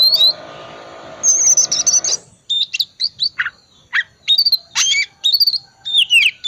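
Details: Oriental magpie-robin, 'tipe dingin' type, in full 'isian' lure song for birds reluctant to sing: a harsh rattling buzz, then crisp whistled and downslurred notes in short groups with brief pauses.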